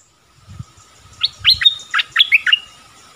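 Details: Mate-calling dok taeng bird recorded in the forest on 13 January 2021 with a decoy: a short cluster of about six bright, slurred chirps, with soft low thumps and faint background hum.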